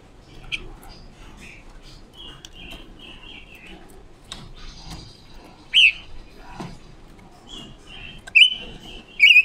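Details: Decoy female red-billed leiothrix training its song, soft chirps early on, then sharp loud whistled notes near the end.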